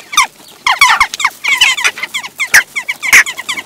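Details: Western jackdaw (Coloeus monedula) flock, with young after the breeding season, taking over a feeder station in Recke, Germany, on 18 June 2021, squabbling in noisy chatter: short, harsh, metallic 'chak' notes overlapping in rapid bursts.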